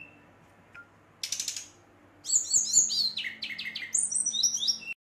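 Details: A Brown-chested jungle flycatcher sings fiercely to bait rivals. After a short rasping burst comes a lively stream of high whistled notes that step up and down, dense and varied to the end.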